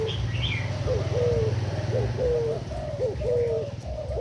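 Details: Decoy spotted dove of Thai origin, used to lure doves into a cover trap, utters soft repeated coos of a short note and a level drawn-out hoot, under a steady low hum.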